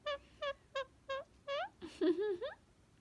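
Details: Laughing pet male Indian ringneck parakeet, a game of being handed a hat: five crisp, evenly spaced 'ha' syllables about a third of a second apart, then a brief noisy burst and a quick wavering, speech-like phrase.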